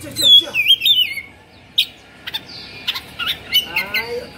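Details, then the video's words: Oriental magpie-robin (kacer) singing agitatedly, tail fanned; an opening run of rapid, loud whistled and warbled notes, then a quieter stretch of scattered short chips and a final trill-like phrase. "Suara Kacer Emosi/Kongslet"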